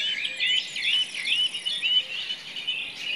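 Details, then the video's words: Forest song of a common nightingale: quick, loud phrases of looping whistled notes and short trills, tumbling in rapid succession, with other birds chattering faintly behind and a thin, continuous high insect whine. "The sound of a nightingale in the forest"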